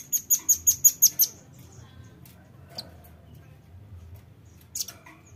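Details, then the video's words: Velvet-fronted nuthatch lure call: a fast burst of seven sharp, high, ticking notes in just over a second, then quiet with a few isolated high chips and faint low background hum. "PANCING BUNYI RAMBATAN PARUH MERAH"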